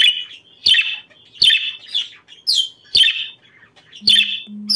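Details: Budgerigar song for breeding stimulation, given as short, sharp chattering bursts roughly every three-quarters of a second with quieter squeaks between them and a low hum near the end.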